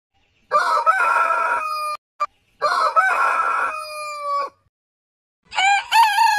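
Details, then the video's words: Roosters of heritage chicken breeds crowing, from a compilation: two long crows with a rough start and a drawn-out descending tail, then the start of a higher-pitched, wavering crow. "Chicken Crowing"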